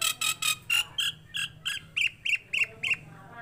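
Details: Tame Nias hill myna in full song, giving a series of about eleven harsh, ringing notes at a steady pace. The first notes are broad and raspy, and the later ones are clipped and metallic.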